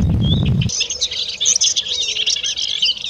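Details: Melodious warbler, a spring arrival to the Iberian Peninsula to breed, pours out a fast, high, babbling song of jumbled chattering and twittering notes after a brief low rumble at the start.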